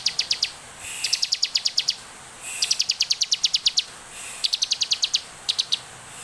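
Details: Ciblek, the bar-winged prinia, in full song for use as a lure: four fast trains of dry, high-pitched ticks, each train roughly a second long, with short silent breaks between them.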